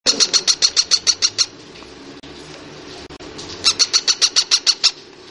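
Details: Young female pet parrot: a fast series of sharp, high, evenly spaced chirps, about eight in a row, a pause filled with low room noise, then another run of similar rapid chirps.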